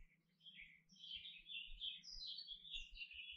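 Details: Canary singing a continuous high warbling song of bright, twittering phrases that rise and fall, with soft low thumps underneath.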